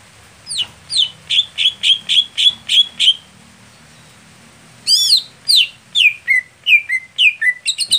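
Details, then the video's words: Greater green leafbird, known locally as cucak hijau, in a song set for contest conditions: loud, clear high whistles repeated in rapid even series, then a pause and a second run of sharp downslurred notes. "Setting Khusus Cucak Hijau Saat Lomba Lamban Panas / Telat Kerja"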